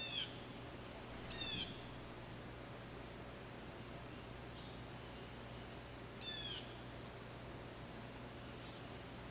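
Blue jay giving three harsh, nasal, high calls spread over about nine seconds, against a steady low hum and background hiss.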